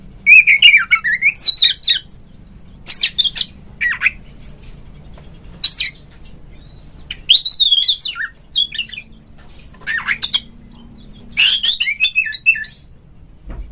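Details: Oriental magpie-robin in captivity, a call played to set other magpie-robins singing: separate bursts of whistles, harsh buzzy notes and high sharp chips every few seconds, with a faint steady hum behind.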